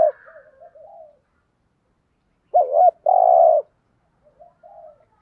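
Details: 'Thúc gù' coo of a spotted dove with a 'giọng thổ' voice: soft low murmurs, then a warbling double note and a sustained hollow coo, with quiet murmurs trailing after.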